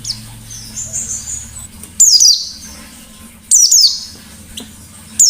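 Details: White-eye in 'ngalas' song: widely spaced bursts of high, quickly dropping whistled notes in pairs, about every one and a half seconds, with quiet low background noise between phrases.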